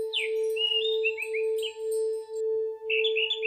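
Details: Orange-headed thrush song used as therapy for silent thrushes: a few quick whistled phrases, rising and falling in short slurs. A steady, loud ringing tone like a singing bowl plays underneath throughout.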